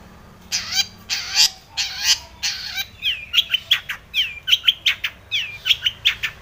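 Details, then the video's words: Long-tailed shrike, known locally as cendet or pentet, singing a full varied song used to provoke other birds to sing: harsh buzzy bursts, then rapid sharp descending whistled notes repeated in quick succession. "cendet gacor BIRAHI full isian ini MANJUR pancingan cendet agar bunyi JADI burung pentet gacor EMOSI"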